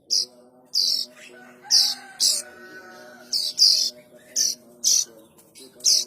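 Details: Young plain prinia calling, a sound used to attract adults: repeated scratchy high-pitched rasping notes in short bursts, irregularly spaced, with a faint steady drone beneath.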